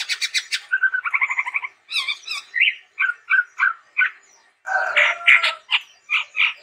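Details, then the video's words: Chestnut-rumped babbler singing gacor style: rapid nasal stuttering notes, a bubbling trill, then a series of short separated whistles and a dense burst of overlapping harsh and whistled sounds. "SUARA BURUNG TEPUS TUNGGIR MERAH GACOR YANG UNIK"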